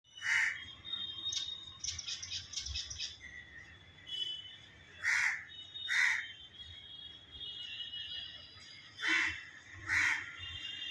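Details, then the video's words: Mynas give loud, harsh squawks in irregular bursts, with a quick chattering run of higher chirps between them. "Myna birds"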